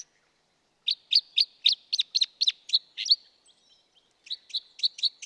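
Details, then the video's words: Red Crossbill (Loxia curvirostra) giving a quick series of sharp, high 'kip' calls, about four per second, pausing briefly, then calling again; no other sounds heard. "Vogelstimmen: Der Fichtenkreuzschnabel - Crossbill - Loxia curvirostra"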